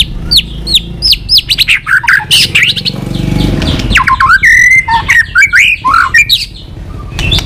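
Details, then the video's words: White-rumped shama giving continuous 'tạch' song used to stir up weak-spirited birds: rapid varied whistles, sharp downslurred notes and fluttering phrases, dense and loud, with a rough low rumble in the middle. "Chòe lửa tạch liên tục"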